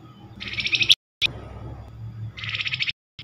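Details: Flamboyan call used as a quick lure to draw a reply from other Flamboyan birds: two harsh, buzzy, rattling chatter bursts about half a second long, with a short break between them and a low background hum.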